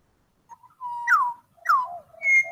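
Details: A quartet of Australian butcherbirds sings clear, flute-like whistles: a held low note, two quick downward slurs, then a higher sustained tone, with several voices overlapping.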